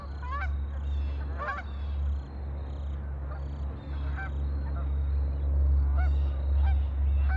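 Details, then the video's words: Lake ducks calling in loud clustered bursts of nasal, honking notes, with quieter calls between them, all over a heavy, continuous low hum. "Ducks on a lake for relaxing sound"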